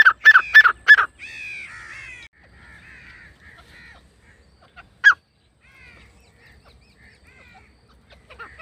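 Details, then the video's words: Grey francolin call used as a hunting lure: a burst of loud harsh repeated notes, then softer wavering buzzy phrases, another single loud note near five seconds, and faint calls trailing off in a quiet setting. "teetar hunting sound"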